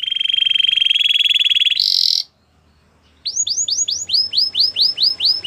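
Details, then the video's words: White canary in song, opening with a loud rolling trill and a harsh burst, a brief pause, then a steady series of arched whistled notes repeated roughly three times per second. "Canary singing birds sounds at its best | White canary singing"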